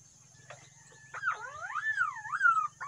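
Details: Green pigeon calling: after a faint opening note, a run of fluty, wavering whistles swoops up and down in overlapping strands for about two seconds, with a steady high hiss and a low hum underneath.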